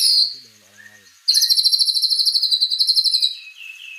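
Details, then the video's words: White-rumped shama, a caged songbird singing energetically: a rapid, steady trill of repeated notes lasting about two seconds, followed by lower whistled phrases, with a short low murmur of speech at the start. "Suara Burung Murai Batu Gacor"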